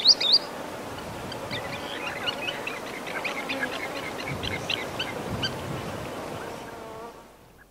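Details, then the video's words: A Green Sandpiper at Nazana Pool gives flight calls and partial song, opening with a loud burst of high, clear whistled notes, then chirps, buzzing insects and wind before fading out. "Green Sandpiper / Flight Calls And Partial Song"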